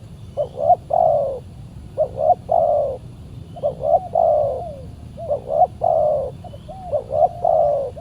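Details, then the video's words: Wild spotted dove answering a decoy bird during trapping, aggressive territorial response; series of cooing phrases, each two short rising notes then a long falling coo, repeated about every 1.5 seconds against low background hum. "PIKAT BURUNG TEKUKUR D GIMBALIN BL SUPER g4Rang"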